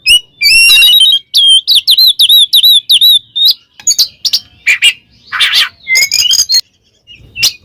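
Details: Oriental magpie-robin singing ngeplong to call a rival, opening with a fast run of repeated whistled, downslurred notes, followed by harsh chips and a rasping burst.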